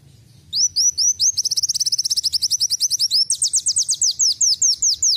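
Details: Canary-style song from a brown-throated sunbird: a rapid, continuous series of high, thin upslurred notes that quickens into a dense trill, then shifts to slower, louder, sweeping downslurred notes.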